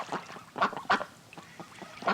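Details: Farm duck giving loud, rasping quacks in uneven bursts, two strong ones close together early, a quieter stretch, then another loud quack near the end.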